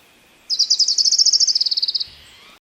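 Orange-crowned Warbler singing a quick, thin trill of about twenty notes, high and slightly rising mid-phrase, then weakening and dropping at the end.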